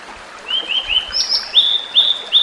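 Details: Wild tledekan laut, also called sulingan laut, a migratory bird whose flute-like song is likened to a bamboo flute; a series of clear whistled notes, first lower and slurred, then higher steady whistles repeated about every half second.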